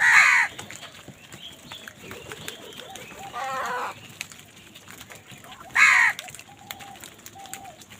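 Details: Crows squabbling over food give two loud, harsh, rasping caws about six seconds apart. A softer buzzy call and faint steady tones fall between them, over a quiet outdoor background.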